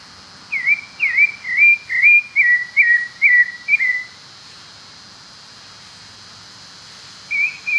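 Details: Wild pale-breasted thrush singing in nature: eight quick down-slurred whistles in an even series lasting about three seconds, then a pause before a fresh phrase begins. Background is calm and steady.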